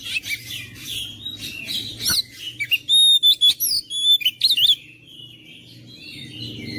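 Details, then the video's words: Oriental magpie-robin song for rousing a mute bird to sing: scratchy chirps, then a fast series of pure, ringing whistled notes, a few quick slurred phrases, and a quieter fading tail. "KICAUAN KACER MENGOYAK KACER BISU MALAS BUNYI JADI NGOTOT GACOR"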